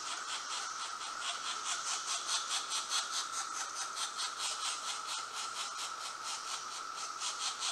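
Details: Two pileated woodpecker chicks in the nest hole beg while being fed, with a rapid, raspy hissing buzz pulsing about twice a second over a steady higher whine.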